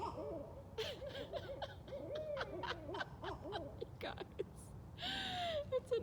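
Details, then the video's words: Barred Owls, four to eight or more, gathered and caterwauling at night: dense overlapping arched hoots and wavering notes, punctuated by clicks, a gasp, laughter and a person speaking near the end. "Amazing Barred Owl Sounds & Calls"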